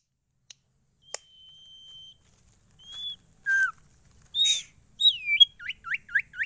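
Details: Kept sirtu songbird, said to stay unstressed when carried anywhere and to sing at once, giving varied phrases: a long flat whistle, short rising and falling slurs, then a quick run of five hooked chirps.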